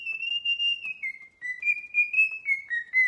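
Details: Parrot whistling an unbroken melody of pure tones. The tune steps down in pitch, climbs back up and wavers through several held notes.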